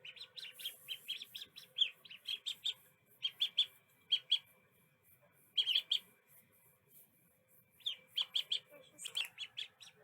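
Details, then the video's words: Little duckling peeping in short, irregular bursts of high, sharp chirps, clustered in quick groups separated by pauses, with a faint steady hum in the background. "little duckling sound effects"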